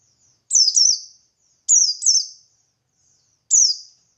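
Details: Buxtoni white-eye delivering ngalas-style song to provoke other white-eyes; paired high, thin, downward-sweeping whistles, two doubled phrases followed by a single one, separated by short silences.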